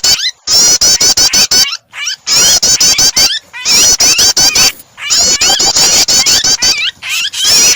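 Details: Prinia calls layered with a distressed bird as a singing starter for other birds; repeated bursts of rapid ticking and shrill squeals, each burst ending in an abrupt pause.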